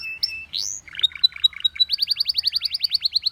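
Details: Short canary phrase: a held whistle and a rising sweep, some chattering notes, then an even, accelerating series of clear repeated chips at roughly seven per second.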